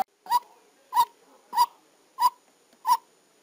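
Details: Five strident, evenly spaced notes from a decoy white-breasted waterhen recorded during trapping, each a short nasal burst with a ringing tone, about 0.6 seconds apart over a low steady hiss.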